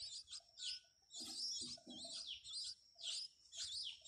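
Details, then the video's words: Newly hatched nestlings, possibly sparrows, being fed by their mother in a clay nest box give thin, high, wavering chirps in quick bursts about every half second, with a few soft lower notes in the middle. "BIED FEEDING BABIES"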